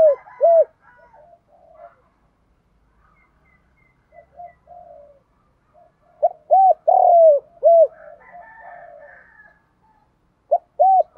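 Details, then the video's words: Spotted dove lure call meant to excite and attract doves. Paired low, rounded coos come in clusters, with a longer swelling coo in the middle. Fainter, rougher cooing voices fill the gaps between the clusters. "Tiếng chim cu gáy kích bổi"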